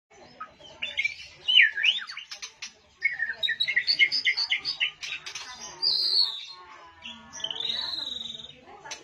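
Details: White-rumped shama bowing and promptly joining in to sing: a varied run of rapid chirps and twittering notes, then clear high sustained whistles near the end, with short pauses between bursts.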